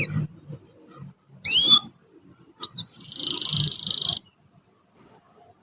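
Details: A juvenile canary learning to sing gives a high swooping chirp, a couple of short notes, then a steady buzzy trill lasting about a second, over low background rumble.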